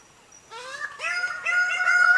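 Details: A Greater Bird-of-paradise in Indonesia gives three loud, nasal, honking notes about half a second apart, each rising slightly and growing louder.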